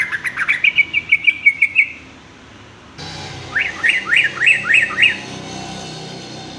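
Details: Sooty-headed bulbul song offered as a tutor for young males learning varied songs: a rapid run of bright, rising-falling whistled notes, about eight in under two seconds, then a pause and a second run of six similar notes.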